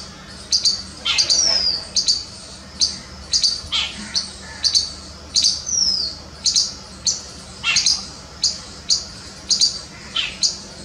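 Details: Jungle babblers in Jammu and Kashmir give harsh, squeaky chattering notes about twice a second, with a few thin descending whistles mixed in.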